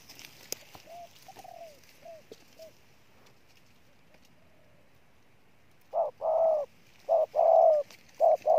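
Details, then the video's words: A wild-caught spotted dove coos forcefully. Quiet downslurred coo notes come first, then after a silent gap a burst of loud, full, hollow coos in quick two- and three-note groups. "Con Bổi Gù Trâu Bò nhất năm"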